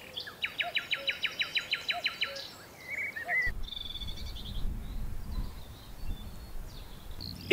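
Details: A Common Nightingale sings in spring at Higham Marshes RSPB reserve, wet pasture, reedy ditches and scrub along the River Thames in north Kent, England: a fast run of about a dozen loud, throbbing notes, then other birds chip and twitter over wind.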